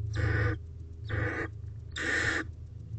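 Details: Barn owl owlet, the oldest in a nest box, filmed 20 April 2023 at 6:32 pm while trying out wing movements; three harsh, breathy rasping hisses about half a second each, close together, over a low steady hum.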